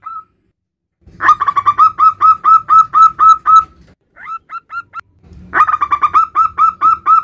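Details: A male zebra dove of the local type calls its mate with two bursts of rapid, rolling coos, separated by a few quieter, higher notes and a short silence.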